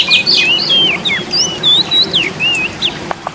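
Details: Oriental magpie-robin singing loudly, used to prompt lazy caged birds into singing: a fast, varied run of clear whistled slurs and twisting notes, high and rising and falling, with a few sharp clicks near the end.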